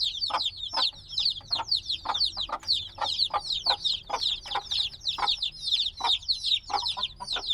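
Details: Newly hatched black chicks, a few days old and noisy, cheep constantly; shrill overlapping descending peeps pour out in a thick stream with louder notes every half second or so.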